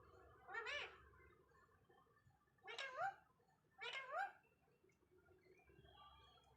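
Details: Indian ringneck parakeet talking: three short, bright, harmonic utterances with wavering, rising-and-falling pitch, spaced about two and one seconds apart, and a faint fourth near the end, against a quiet indoor background.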